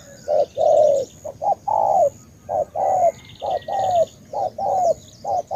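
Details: Ca Mau spotted dove from Vietnam calling with clear low coos, a short note then a longer slightly falling coo, repeated in quick pairs; faint high trilling behind.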